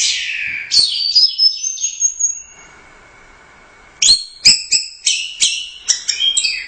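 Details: Orange-headed thrush that took first place at the Royal Cup, 'gacor teler doyong' singing: a long descending whistle and high drawn-out note, a pause, then rapid repeated sharp high chips and whistles.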